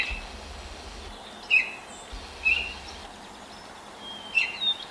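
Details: In a neighbour's apple tree at sunrise on 10 May 2024, 5:40 a.m., a Baltimore oriole sings while hopping between branches; three short clear whistles over a low rumbling background.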